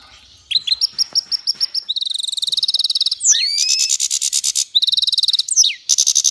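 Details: Song of a mule hybrid between goldfinch and canary: a row of sharp, evenly spaced chips gives way to long, rapid, buzzy rattling trills broken by swooping whistled slurs.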